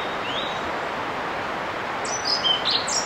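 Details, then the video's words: A male European pied flycatcher advertises his territory to potential mates with a short burst of high, sweet notes near the end, over a steady hiss of wind and rustling leaves. "Male Pied Flycatcher advertising his territory to potential suiters"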